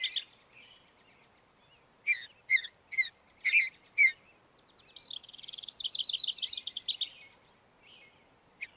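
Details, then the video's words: Mountain bluebird giving five short, clear notes about half a second apart, then a fast chattering warble and one last note, over a faint steady hiss. "Mountain Bluebird Bird Sound"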